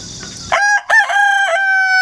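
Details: Rooster hatched at home in an apartment and raised in the countryside, recorded 1 September 2019 with a GoPro and wireless microphone: a loud harmonic crow starting at 0.5 seconds, broken briefly, then held steady; insects buzz faintly before it.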